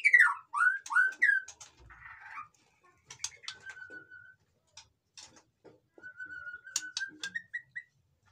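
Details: White-rumped shama song for stimulating lazy caged birds: opening cluster of descending slurred whistles, then sparse ticks and two long flat whistles with short pips in between.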